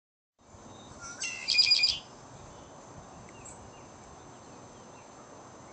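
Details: Red-winged blackbird at Shady Oak Lake, having flown in to sing: a faint short whistle, then a high buzzy trill lasting under a second. Steady low rushing background noise continues afterwards.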